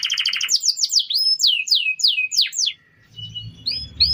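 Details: Canary song used to train other birds: quick trill opens into a series of loud falling whistled sweeps, a low flat tone, a short pause, then softer rising notes over a low hum.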